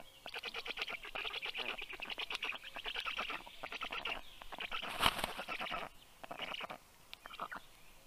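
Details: At a black stork nest in Karula National Park, Estonia, early morning, 19 June 2023, female bringing breakfast to chicks: dense rattling pulse trains, loud and almost continuous, briefly broken by a sharp click.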